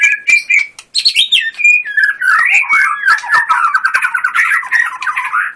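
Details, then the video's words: Caged white-rumped shama singing sharp clicks and clear whistles, then a long, rapid, rolling chatter of repeated notes. "Murai batu gacor full tembakan"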